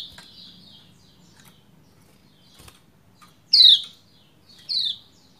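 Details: Female Lombok white-eye calling a male to get him singing; after quiet seconds with faint chirping and soft clicks, two loud high falling chirps about a second apart.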